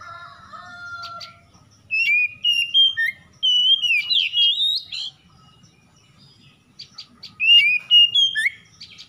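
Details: Oriental magpie-robin dawn song used as a lure for stressed kacer: a lower whistle at first, then a string of rich, twisting whistled notes with buzzy accents, and later another burst of phrases.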